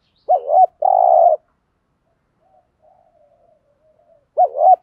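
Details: Spotted dove, local field type, cooing insistently to provoke wild males. A looped double note is followed by a long buzzy purr, with soft faint murmuring in between. The next looped phrase begins about four seconds later.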